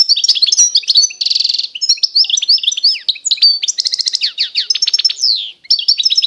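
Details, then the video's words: Constantine-style goldfinch of eastern Algeria in full song: a continuous, high, jangling stream of chirps and slurred whistles, broken by two dense buzzy trills, one early and one midway, with a brief dip in sound near the end. "تغريد الحسون القسنطيني الاصيل (حسون الشرق الجزائري)"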